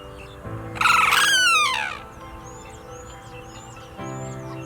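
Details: A wild Sarus Crane, one of a pair in a rice field on a cool February morning, gives one loud, brassy trumpeting warning call lasting about a second, falling slightly, apparently as another crane pair comes near; soft music plays and small birds chirp faintly.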